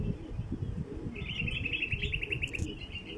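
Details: A bulbul calling, used to attract wild bulbuls: a rapid run of buzzy trilled notes, about a dozen pulses in under two seconds, above a steady low rumble.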